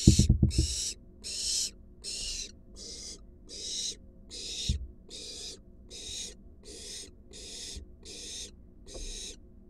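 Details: Wild barn owl fledgling and adult in a nest box during delivery of a large rat. A long run of about fourteen short rasping hisses comes quickly and evenly, with heavy knocks at the start.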